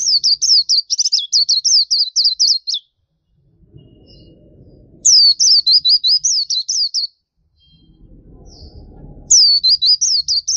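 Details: Black-capped white-eye, kept songbird, giving three bursts of high, regularly repeated slurred chirps, roughly nine notes each, separated by pauses with faint low rumbling noise.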